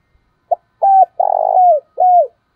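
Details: Decoy spotted dove giving its thúc bổi and gáy gọi calling coos: a brief low note, then a level coo, a long purring rolled note sliding downward, and a final falling coo, all mellow and low, with no other sounds.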